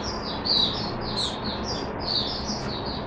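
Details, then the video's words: Caged Oriental white-eye singing a continuous stream of high, slurred warbling notes, partly masked by a broad hiss of background noise. "Mata Puteh Hercules V1 buka sing"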